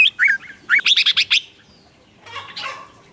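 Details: Red-whiskered bulbul singing in a contest meant to provoke other birds, newly caught ones included, into singing back; quick bright chirping notes, then a rapid run of five or six sharp rising notes, and a softer warbled phrase near the end.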